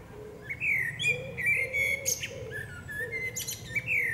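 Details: Female common blackbird singing in woodland: several short, mellow fluted phrases, each followed by a brief high twitter, repeated steadily across the phrase.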